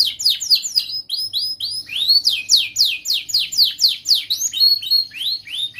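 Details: Young canary singing, a recording meant to teach young canaries: continuous rapid series of bright, steeply falling whistled notes, roughly four per second, with varied pitch and a faint low hum behind.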